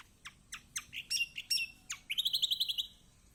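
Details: Lure song of a kecial kombok, the yellow kecial, meant to prompt a lazy bird to sing: a string of descending, slurred chip notes leading into a quick rattling trill of about eight notes.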